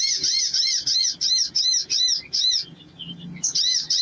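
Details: Male Ruby-cheeked Sunbird singing a fast run of high, thin, arched notes, about three per second, with a faint low hum behind.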